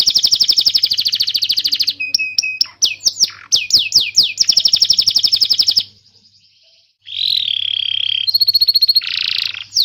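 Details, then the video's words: Singing canary, a training master for young birds and those that stopped singing; long rapid trills, short flat notes and sweeping slurs, a second of near silence, then renewed buzzy trills and high tones. "Suara burung kenari gacor Pancingan kenari paud kenari macet bunnyi"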